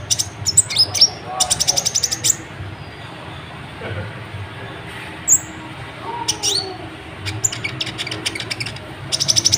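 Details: Sunbird known locally as kolibri ninja, singing energetically to provoke other birds into singing: scattered bursts of very high, thin, rapid trills and sharp chirps, separated by pauses, over a low steady rumble.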